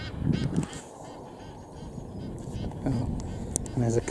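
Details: At Kingfishers Bridge, Cambridgeshire, UK, on 28 March 2017, Egyptian geese and lapwings attack a marsh harrier. The geese give short, harsh, nasal honks in bursts, with faint background voices and wind.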